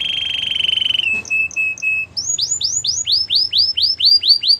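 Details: Canary training song: a steady buzzy roll held near one pitch, then short clipped notes, then a fast series of bright downward-swooping whistles repeated about four times per second.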